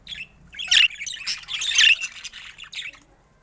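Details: Pet budgerigars in varied colours: loud harsh chirps and squawks in short bursts, with a softer twitter trailing off.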